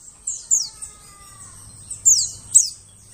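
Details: White-eye call played as a lure for forest birds: short, shrill chirps sweeping steeply down, in loose groups of two or three, with a faint low hum in the second half.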